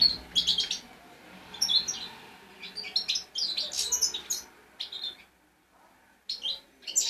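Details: Fledgling European goldfinch song, played to stimulate other goldfinches to sing: bursts of high twittering, tinkling notes in short clusters with brief pauses between.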